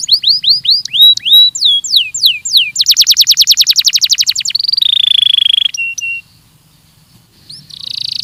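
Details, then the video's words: Training song of a Belgian canary: rising slurred whistles, a quick rattling trill, a buzzy sustained note and flat whistled tones, then a pause and a final buzzy phrase. "ESPETACULAR canário belga,,! 30 MINUTOS DE TREINAMENTO DE BELGIUM CANARY VOCÊ VAI CANTAR MUITO"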